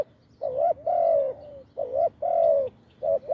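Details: Deep-voiced wild spotted dove at a decoy, slow measured coos: a short rising note followed by a long sliding falling note, repeated in even pairs.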